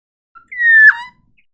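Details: Forest oriole (kepodang hutan): one loud, clear fluted whistle, held level, then dropping sharply to a lower note and fading, heard against a silent background.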